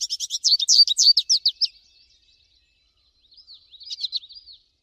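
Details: Wild American goldfinch in song outdoors, a fast run of sweet, high twittered and buzzy notes, then after a short gap a softer jumbled phrase with slurred whistles.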